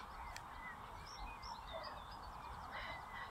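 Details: Geese (greylag, ruddy shelduck, Canada and Egyptian geese) on a field in a Rhine floodplain meadow, early morning in fog at 0°C, give scattered nasal honks, with thin high bird calls and a steady low wind rumble.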